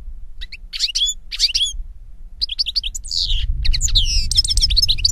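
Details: European goldfinch song: bursts of bright twittering notes and slurred whistles, a brief pause, then a denser run of chirps and a buzzy phrase as low rumbling noise grows louder.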